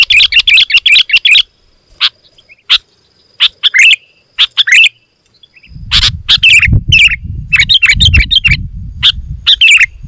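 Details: Sooty-headed bulbul song used to lure wild birds: loud, dense bursts of bright chirping notes around the upper range, in clusters with short gaps, a steady faint hum and low rumbling noise in the second half.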